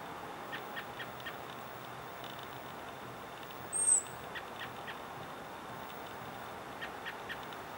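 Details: American robin giving a hawk alarm from a perch while scanning the sky, Sonoma County, California, April 22, 2020, likely in response to a common raven: one short, high, thin whistle midway, amid soft steady background noise and faint ticking.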